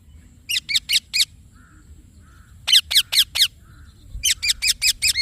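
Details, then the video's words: A rose-ringed (Indian ringneck) parakeet gives three bursts of shrill, harsh screeches, four or five rapid notes each, with soft low chirps between bursts; Rose-ringed parakeet. "Green Parrot Chirping Sounds / Voice"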